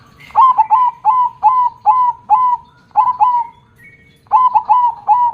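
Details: Perkutut, the zebra dove, in full song with a big 'kong' voice: a steady string of short, clipped coo notes in quick succession, a brief pause, then the run of notes resumes.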